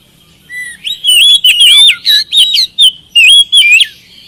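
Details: Loud oriental magpie-robin lure song: a low whistled opening, then a lively string of sweet slurred whistles and sharp chips, evenly spaced.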